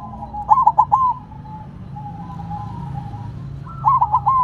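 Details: Silver perkutut (zebra dove) placed on the ground, singing: two bright phrases of three short looping coos, separated by a long soft purring hum from neighbouring doves and low background rumble.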